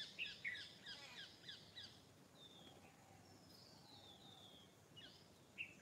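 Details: Morning bird chorus: a quick run of high twittering notes, then thin drawn-out whistles and a distant lower whistle, with a final sharp chirp; soft outdoor ambience underneath.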